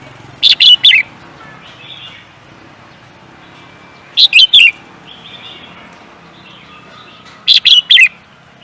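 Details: Competition songbird kept for singing contests: three short bursts of high, sharp chirps, each made of three quick notes, spaced about three and a half seconds apart, with faint softer twittering in between.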